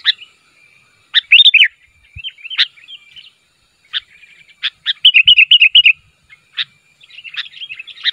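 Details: Calling sooty-headed bulbul, meant to provoke answers from others of its kind: scattered chirps, then a fast run of bright repeated notes, then more spaced chirps and short warbles against a faint steady tone; two soft thumps.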